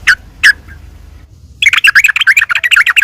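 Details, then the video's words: Yellow-vented bulbul in aggressive fighting song meant to make other birds respond; two sharp isolated notes, a silence, then a fast, loud chattering series of bright notes. "trucuk gacor taruNG buat pancingan trucukan agar bunyi"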